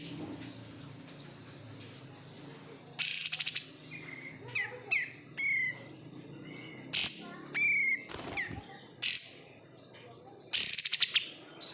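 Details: Caged oriental white-eye raised from a bulk-bought wild-caught bird, singing in separate bursts: short buzzy rattling trills and high chirps near three, seven, nine and ten seconds, with clear sliding whistled notes between them against a quiet background.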